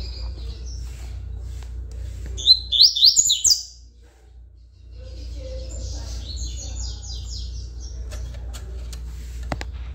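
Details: Tui Tui song from a coleiro praised as a good singer: a loud rapid phrase of high sliding notes, later a softer echoing phrase, over steady low hum and clicks.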